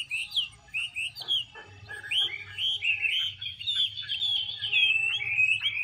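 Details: Female Chinese hwamei displaying, fanning and dancing to fire up the male; a few separate whistled notes at first, then a long, fluid stream of looping melodic warbles, with a steady low hum beneath.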